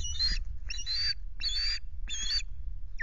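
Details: Osprey at Loch Garten picked up by a nest camera on 26 May, a day that ends with half a fish: four piercing, rasping whistled calls spaced roughly half a second apart, steady and insistent, with low background rumble.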